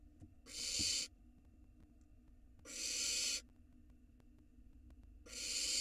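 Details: Barn owl nestling at a nest camera in Israel, 2022, while swallowing a huge rat whole: three long, harsh, broadband hissing screeches, each under a second, spaced about two seconds apart, over quiet background.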